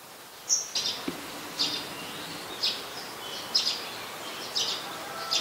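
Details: Olive-backed sunbird in mangrove forest at the Sirinart Rajini centre, Thailand: sharp, very high thin chips repeated roughly once a second at uneven spacing, over a steady hiss of background noise.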